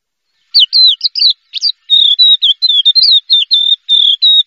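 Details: Champion first-place Horsfield's bush lark contest bird singing a run of high, clear whistled notes, some slurred and dipping, others held level, delivered in quick succession without background noise.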